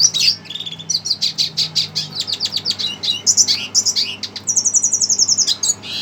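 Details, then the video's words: Red siskin roused by a played recording, pouring out a rapid, high twittering song of chirps, buzzy notes and a thin sustained trill, with faint low hum behind. "Red siskin emosi dengar suara BT"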